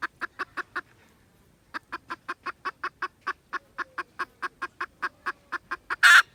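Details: Red junglefowl on 16 December 2021 uttering quick regular clucks, a short silence, then a longer even run of clucks ending in a loud harsh squawk-like burst.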